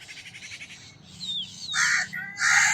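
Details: Crow cawing: a quick run of grating pulsed notes, then two loud, harsh, rasping caws close together at the end, with thin descending whistles heard faintly in between.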